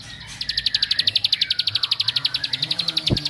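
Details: A single continuous three-second trill of quick, bright, evenly spaced high notes from a bar-winged prinia, a song said to rile up other prinias.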